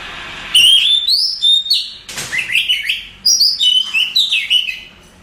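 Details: Oriental magpie-robin, a contest champion, singing loud whistled phrases with sliding notes and harsh bursts, separated by short pauses.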